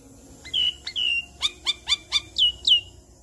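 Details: Adult Javan myna calling loudly as a lure to make other mynas answer: two long whistles sliding downward, four short sharp squeaks at steady pace, then two more falling whistles, all clean against a quiet background.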